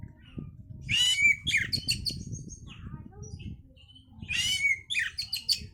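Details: Oriental magpie-robin song used to bring on breeding condition: two dense bursts of harsh, chattering chirps with sweeping whistles, separated by quieter notes, with continuous low rumble underneath.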